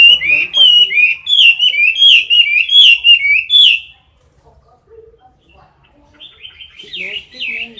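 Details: Competition song of a caged Chinese hwamei close to the recorder: about four seconds of dense, loud whistling with bright overtones, a quiet gap, then a softer returning warble.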